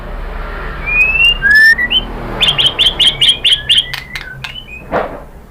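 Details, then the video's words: White-rumped shama lure song: thin gliding whistles followed by a rapid series of repeated sharp high notes, over a low background hum. "KICAUAN MURAI BATU bikin NYAUT ikut BUNYI GACOR NGEPLONG BONGKAR ISIAN ¦ PANCINGAN MURAI"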